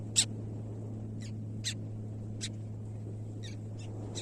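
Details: White tern landing on its beach nest to incubate eggs, giving short, harsh, buzzy notes, seven in about four seconds at an uneven pace, over a steady low hum.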